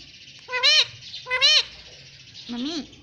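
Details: Talking pet rose-ringed parakeet saying "mummy": two bright, arched, harmonic syllables close together, then a lower rising glide, over soft background music.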